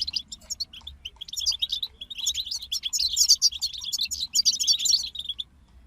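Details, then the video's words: European goldfinches in a group sing a dense, high twittering chorus of tinkling and buzzy notes that builds through the middle and stops abruptly near the end. "King of Songbirds Goldfinch Group"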